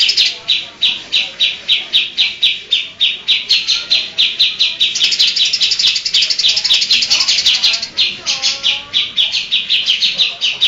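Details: Greater green leafbird song full of imitations, including lovebird, tengkek and cucak jenggot. Fast, high, repeated chips build into a dense, buzzy trill, and a few lower slurred whistles appear near the end.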